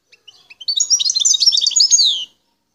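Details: Song of a wild Algerian goldfinch from El Tarf, starting with a few soft separate chirps that build into a dense, tinkling, rapid twitter of high notes lasting over a second.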